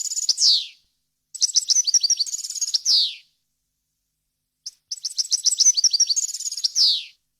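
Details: European goldfinch song for tutoring fledglings: a buzzy downward note, then a run of quick high chirps and trills closing in another descending buzzy slur, a pause, and a similar phrase repeated.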